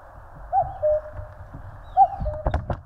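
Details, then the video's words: In the mountains of Korea, a common cuckoo gives its hollow two-note cuck-oo twice, the second note lower. A few sharp knocks come near the end over a low rumble. "청량한 뻐꾸기 울음 소리. Cuckoo chirping"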